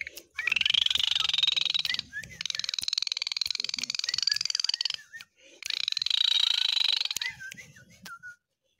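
Javan pied starling song: long harsh, buzzy chattering bursts broken by short slurred whistles, repeated in three rough phrases.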